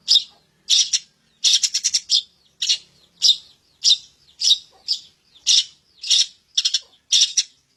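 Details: Long-tailed shrike song used as isian filler material: harsh, scratchy broadband bursts repeated roughly every half second, some doubled, with clean silence between them.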